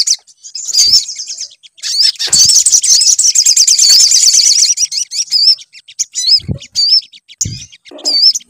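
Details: Sunbird song as a lure to make the bird sing. A dense, high, rapid buzzing chatter runs for several seconds, followed by spaced, squeaky, wavering whistled notes and a couple of low thumps.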